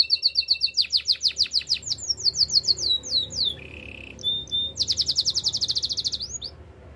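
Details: Canary song used for training, a rapid series of repeated tours: falling whistled sweeps near four kilohertz, a brief steady low trill, then a fast buzzy rattle, each phrase repeated several times a second.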